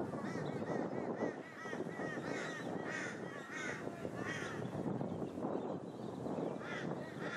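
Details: Repeated arched whistling notes from plumed whistling-ducks, recorded in August 2023 on Queensland's Sunshine Coast, come in clustered bursts over constant loud background rumble.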